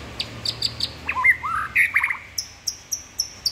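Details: Murai batu, the white-rumped shama, in a rich varied song with a full repertoire of mimicked phrases: sharp high chips, slurred whistles dropping and rising, then evenly spaced high whistled notes.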